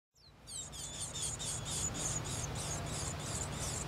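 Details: Older wild Japanese white-eye nestlings beg as a parent arrives to feed them, giving thin, very high chirps in a rapid, steady series, about four per second, over a low rumbling background.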